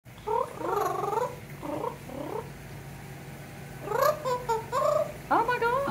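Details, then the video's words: Pet parrot in a screened porch at an apartment complex in Florida, singing a little and trilling to imitate its owner; wavering, warbled tonal phrases come in a burst early on and again near the end, with a quiet gap between. "Freedom the Parrot Sings a Smidge & Trills to Imitate Me"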